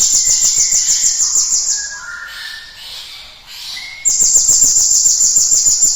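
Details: Cinereous tit song used as a lure to make other birds sing. Fast, high trilled notes open the clip. A pause follows with softer lower whistles and slurred notes from other birds, then the loud high trill resumes.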